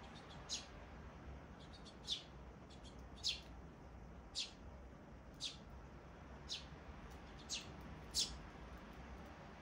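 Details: Sparrow chicks recorded on 23 May 2024: thin, high-pitched single chirps repeated about once a second, eight in all, fairly faint over a soft broad hiss.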